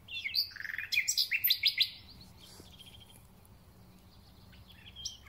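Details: Singing thrush nightingale at the start of spring, a dense burst of varied chirps and rapid knocking pulses for two seconds, then quieter distant phrases in the background.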